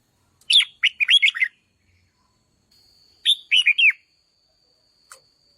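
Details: Red-whiskered bulbul song meant to stir up decoy birds, two quick phrases of chirpy, up-and-down whistled notes about three seconds apart, with a faint steady high tone and a brief click late on.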